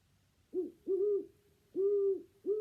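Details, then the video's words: A great horned owl in spring gives deep, soft, steady-pitched hoots, four in under three seconds, some clipped and some drawn out, against a quiet background. "Now let's listen to the great horned owl."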